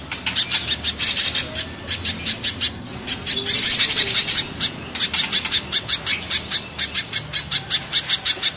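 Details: Spiderhunter, with mountain and banana spiderhunters set against one another: insistent high chips at about four per second, broken by two rasping trilled bursts, with a brief quiet gap in between.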